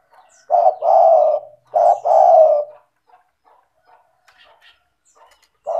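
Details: Spotted dove calling strongly, played to coax sluggish doves into calling: two soft, throaty coo phrases, each a quick note followed by a longer rolling coo, then silence and the start of another phrase.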